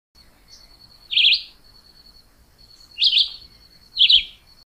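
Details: Three short warbled phrases from a Chivi vireo, each squeaky and slurred, spaced one to two seconds apart, over a faint steady high-pitched hum.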